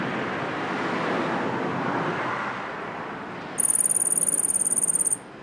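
Yellow-faced grassquit giving a thin, very high, buzzy trill of rapid even pulses lasting under two seconds, after several seconds of strong wind noise.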